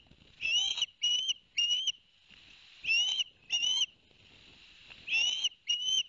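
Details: Ospreys at a nest at Barnegat Light, New Jersey, on 11 September 2021, after the adult male delivered two fish to the young and then bathed. Clear, high whistled chirps, each slightly rising, come in short clusters of two or three, repeated through the clip.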